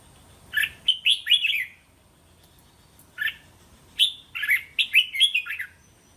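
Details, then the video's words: Red-whiskered bulbul linked song for training chicks to sing back: a quick five-note whistled phrase, a pause with one lone note, then a longer rollicking phrase of about six slurred notes. "เสียงนกกรงหัวจุก เสียงยั่วๆๆสายต่อ"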